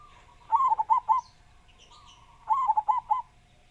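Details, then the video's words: Local zebra dove, kept as a vocal bird with a big voice, giving two cooing phrases about two seconds apart, each a short stuttering start followed by three or four rolling, bubbling coos, over a faint steady hum. "Perkutut Lokal Gacor Suara Besar"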